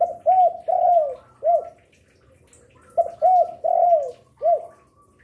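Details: Spotted dove kept to lure other doves, said to sing eagerly noon, afternoon and night: two clear coo phrases, short hooked notes then a longer sliding coo and a final arched note, with faint higher twitters behind.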